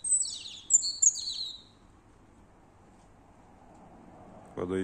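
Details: A nocturnal singer at three o'clock at night, returned to its perch and not shy: rapid high twittering and descending trilled notes for under two seconds, then silence ending in a brief low thump.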